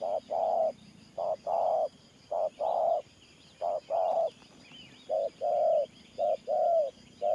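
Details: Spotted dove decoy giving 'Thổ Pha Nước Gù' style coos, deep paired notes with the second long and swelling, somewhat irregular gaps, faint small-bird calls behind.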